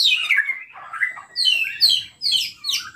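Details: White-rumped shama song played to provoke other shamas into singing: rich descending whistles, then a series of sharp, rising and falling whistled phrases repeated about twice a second.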